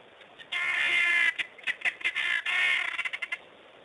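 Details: Loud rasping churr from a helmeted guineafowl, broken into long grating bursts with quick runs of staccato clicks between them.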